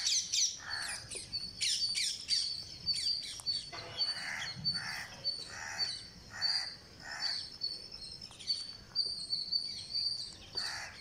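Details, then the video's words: Feeding of a green parakeet on day 49. Rapid high buzzy begging pulses run throughout, broken by harsh lower chattering bursts in quick rows and a few sharp clicks. "GreenParakeet Feeding - Day49"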